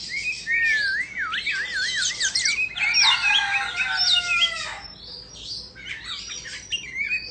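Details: Dancing Indonesian Oriental magpie-robin sings a strongly wavering, looping whistle, then dense chirps over a rooster-like crow with falling tones, and finally scattered high notes.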